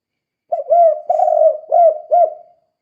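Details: Spotted dove calling in 'kuk 2' style, meant to lure other doves into answering: one loud phrase of hollow coos, a drawn-out rolling note flanked by short, slightly rising clipped coos, with silence around it.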